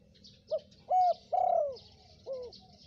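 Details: Spotted dove from Indonesia, recorded as a lure call for wild doves: a short low coo, a level coo, a long downslurred coo, then a brief falling note, over faint background hiss and low hum.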